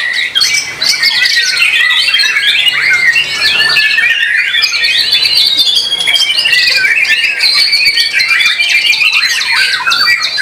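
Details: Competition white-rumped shama (murai batu) from a Solo squad, noted for song rhythm, power and stamina; a sustained run of bright whistled notes, buzzy chatters and rolling trills, unbroken for the whole stretch.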